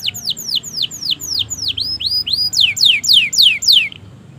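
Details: Canary training song, long gacor style, used to prompt silent and young canaries to sing: a fast series of high, sharply falling whistled sweeps, repeated several times a second and growing louder toward the end.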